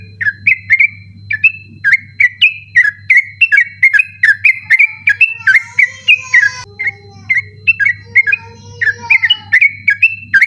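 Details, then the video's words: Sooty-headed bulbul singing a long persistent 'ropel' run at night, meant for training other birds: rapid repeated bright whistled notes, joined midway by softer, lower drawn-out whistles from another bird; low hum beneath. "burung trucukan ropel ngotot dimalam hari cocok buat masteran ropel malam"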